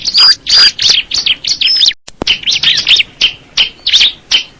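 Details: Bar-winged prinia, crystal ciblek variety, singing fast high chirps nearly three per second, with sliding whistled notes at first and a sharp click midway, followed by an even run of bright twitters.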